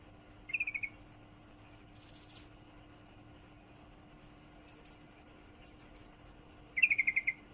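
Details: A yellow-vented bulbul female in heat calls a male with two short rattling chirp series about six seconds apart, separated by faint high twitters and a low background hum.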